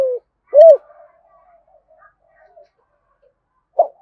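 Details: Spotted dove calling to lure wild doves, local-voice style: a low coo, a clear arched coo, faint soft notes, then a brief note at the end.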